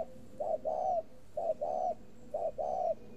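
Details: Spotted dove, caged, from a northern Vietnamese breeder, giving three low double coos, a quick short note leading into a longer rounded one, spaced about a second apart.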